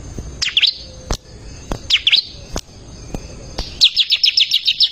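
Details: Bar-winged prinia singing actively, used as a tutor recording for caged songbirds: a few short high chirps near the start, then a fast run of about eight sharp repeated notes. Loud dry clicks break in throughout.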